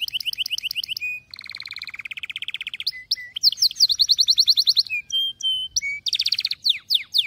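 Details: Canary song for training young canaries: varied rapid trills shifting pitch, a lower rolled rattle, bright fast repeated notes and crisp whistled slides, sung continuously.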